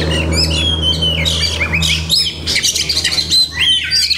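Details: Kacer, the Oriental magpie-robin, singing a rich mimicry-laden song of long whistles, rising slurs and chattering notes, over a continuous low electrical hum.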